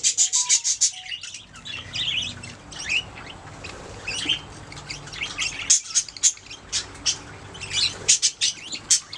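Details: Pet budgerigars singing and chirping, a flock of short bright high notes in quick uneven bursts, with a few clear whistled tones at the start and a faint low hum underneath.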